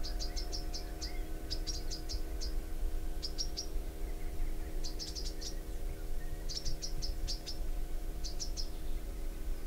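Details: Bronze sunbird calling: short bursts of four to six high, sharp chirps in quick succession, each burst separated by a pause of about a second, over a steady low hum.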